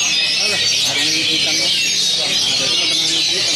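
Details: Oriental magpie-robin performing at a songbird contest at an anniversary event in South Tangerang, Indonesia; continuous high, rapid warbling and whistled phrases, with crowd voices murmuring underneath.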